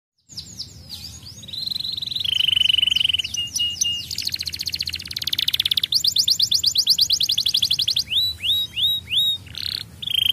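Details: Young canary singing a fast, varied song: high steady whistled notes, then dense buzzy trills and rapid repeated rising-falling sweeps, ending in short upswept whistles.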